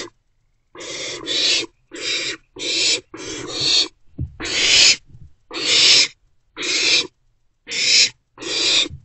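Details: Three owlets kept to their nest box on 13 April 2024: fast, overlapping series of harsh hissed shrieks, around a dozen in nine seconds, some doubled, with a low thud partway through.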